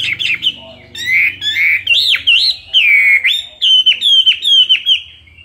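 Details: Caged Chinese hwamei, two years old, in fighting song: loud, rich whistled phrases that swoop and loop, followed by a run of sharp repeated notes, each dropping at its end, about three per second.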